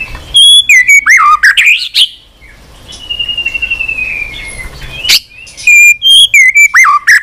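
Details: Persistent song from a white-rumped shama, tail flicking on the perch, mixing many strange voices. Loud whistled phrases with looping slurs open the recording, then a long, faint descending whistle, then another burst of sharp whistled notes.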